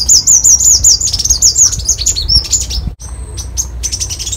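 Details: Copper-throated sunbird song: a fast run of high, looping, wavering whistled notes repeated in quick succession, followed after a sudden break by scattered sharp high chirps.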